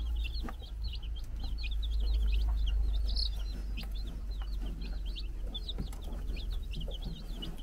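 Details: Several four-day-old chicks on a farm in the Czech Republic, happily running around near their brood hen, chirping in rapid overlapping high peeps, about three to four per second, over a steady low hum.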